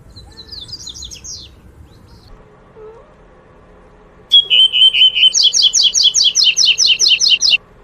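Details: Double-collared seedeater in the wild, tui-tui song type: after quieter high twittering, a steady whistled note leads into a rapid string of clear, evenly repeated bright notes lasting about three seconds.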